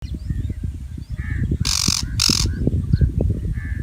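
A shrike gives two harsh, grating, rasping calls in quick succession over a steady low rumble of wind or background noise.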